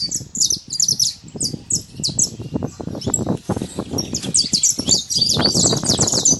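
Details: Free-living saffron finch delivering quick bursts of high, bright chirps in two busy phrases, accompanied by frequent low thumping and rustling noises.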